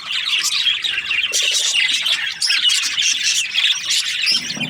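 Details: Budgerigars in breeding pairs chirp and squawk in a lively overlapping chorus, with a few lower, rapid rattling notes beneath.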